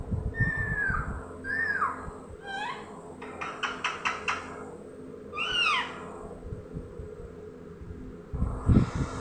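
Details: Young green parrot giving downslurred, nasal, mewing calls, a burst of rapid short notes, then another drooping call, over a constant low hum and some handling noise.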